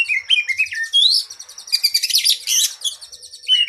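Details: Energetic oriental magpie-robin singing a long training song for cage birds: stepped whistles, a sweeping upward slur, then dense high trills and chatter in quick repeated bursts.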